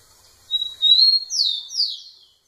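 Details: Single song phrase of a rufous-collared sparrow singing to a female: a long level high whistle followed by two loud descending slurred notes, clean and close.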